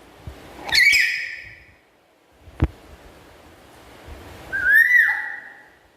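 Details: Black-capped lory kept as a pet giving its loud chatter: a rough, harmonic squawk, a sharp click, then a clear whistle that rises and drops to a lower note.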